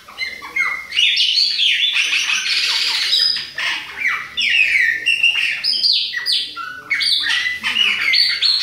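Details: Chopi blackbird, Bahia type, an adult and a young bird, delivering dense continuous song of clear whistles, downward slurs and harsh squawk-like notes with barely a pause, loud and close.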